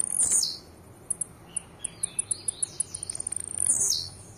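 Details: Blue-black grassquit singing aggressively, giving two very high, buzzy, falling 'tee-zeeu' notes with a rapid series of thin ticks between them; a softer whistling bird sounds faintly behind.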